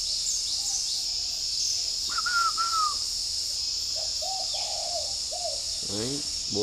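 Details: Morning cooing of a caged spotted dove in Ba Vì, Hanoi, Vietnam: a soft run of low hollow coos after higher whistled notes from another bird, with a steady high insect drone and a brief rasping sound at the end.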